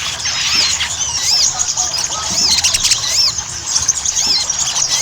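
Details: Ruby-cheeked sunbird lure recording, meant to prompt birds to sing: rising-and-falling high whistled notes in quick overlapping series above a constant loud hiss.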